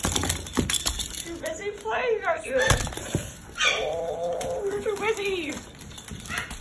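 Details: Caged pet Moluccan cockatoo complaining at bedtime, reluctant to enter its cage: wavering, speech-like harmonic chatter in bursts, with wing flaps and clattering knocks indoors.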